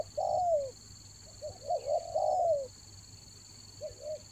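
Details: Spotted dove coos used to lure birds in the rainy season: a long, loud falling coo, a pause, then short double notes and another drawn coo, over a constant high hum.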